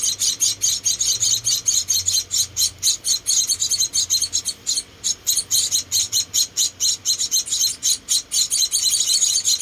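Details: Rescued Munia babies, four of them, calling while being fed: rapid, very high, squeaky chirping runs almost without pause, with one brief lull midway before the chirps resume.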